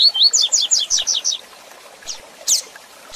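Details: Tail of a rusty-collared seedeater phrase in the Tui Tui Zel Zel style, used to train young or moulting birds: a quick string of high, buzzy falling notes, then scattered thin chips in a quiet gap.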